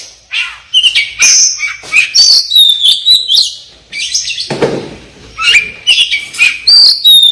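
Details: Oriental magpie-robin, the black-breasted local form of East Java, in a masteran recording: high thin whistles and sharp clicks come in spaced bursts, with a short scratchy noise in the middle.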